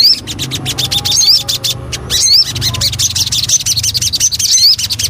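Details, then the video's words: Javan cochoa (sogon) lure song: repeated high, slurred whistles rising and falling, mixed with dense rapid chirping and clicking notes, with a low hum underneath. "Pancingan Burung Sogon"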